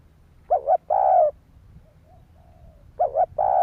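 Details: Spotted dove cooing to stimulate other doves: a quick double coo followed by a longer, steady, mellow coo, given twice about two and a half seconds apart over a low background hum.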